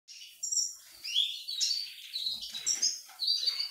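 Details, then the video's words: Male siskin courting a dilute-coloured female, singing a high, twittering run of quick chirps, trills and short whistled notes with brief pauses. "Tarim macho galanteando a fêmea diluída"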